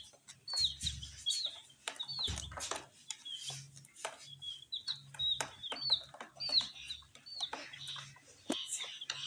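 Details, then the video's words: Tiny colored chicks pecking at spicy snacks give repeated piercing peeps, short downslurred whistles in quick succession, backed by sharp pecking taps and occasional low thumps. "Chicks Chirping"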